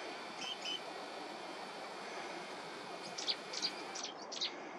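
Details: An Algerian great grey shrike on the coast of Caserta, Italy, gives a few thin, high whistles, then a quick series of short, harsh, clipped notes, over a steady hiss of background noise.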